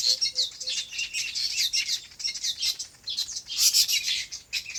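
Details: Birds chirping on a farm in their habitat: a few low short notes at the start, then dense overlapping high tweets with a loud burst of twittering near the end.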